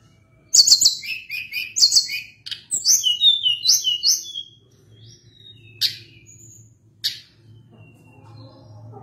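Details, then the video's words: Sunda blue robin singing energetically in long rolling phrases: a quick burst of high, bright chirps and whistled notes for about four seconds, then a few scattered sharp, isolated notes over a faint low hum. "Ocehan Tledekan Gunung gacor Ngeri Bikin Tledekan Apapun ikut Gacor Ngerol Panjang"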